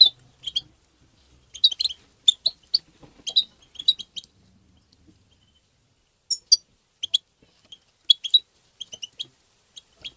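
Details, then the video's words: European goldfinch twittering, used to stimulate goldfinches: scattered clusters of quick, high, thin chirps, with longer silent gaps between them, across ten seconds. "ندهات تبتة حسون مقنين بتبتات وتغريد الحسون بتبتة مجنونة لطيور"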